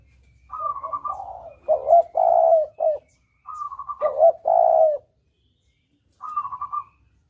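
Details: Spotted dove lure recording for hunting, double-kuk style: two mid-pitched coo phrases with a rising note, long coo and brief tail, while another bird gives short higher whistled trills between them.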